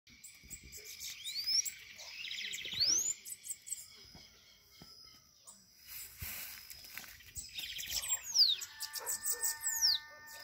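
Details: Bananaquit (sibite) fighting in the woods, at night, with thin high whistles that rise and fall and short buzzy chattering bursts in two spells, near the start and again near the end, over faint background sounds.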